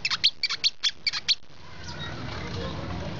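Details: Brown-throated sunbird giving a quick burst of about nine sharp, high chirps in just over a second, some with a doubled accent, then falling silent against a steady background hiss.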